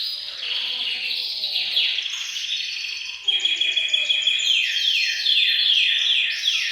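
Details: Caged canaries singing in chorus in a bird room to trigger male song and prepare females for mating; a smooth buzzy trill builds into rapid repeated descending sweeps and sharp whistles.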